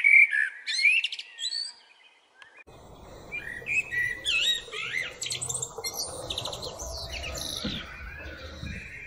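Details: Common blackbird in nature singing a warbled phrase in the open, then more melodious, varied phrases over a steady low rumbling background noise.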